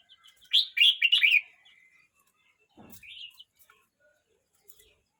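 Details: A young red-whiskered bulbul, 12 months 29 days of age, delivers a loud bubbling phrase of several quick slurred notes, then a softer lilting note after a brief rustle.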